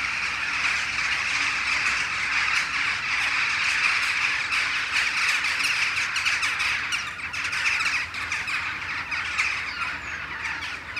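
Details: Morning gathering of Western jackdaws back from the roost trees for a shared flight; a loud, sustained chorus of sharp clipped calls from many birds, dipping briefly near the end.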